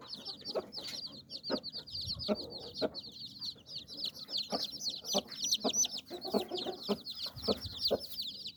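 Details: Mother hen with nine chicks under her wings; intermittent deep clucks sound beneath a dense, unbroken chorus of shrill chick peeping.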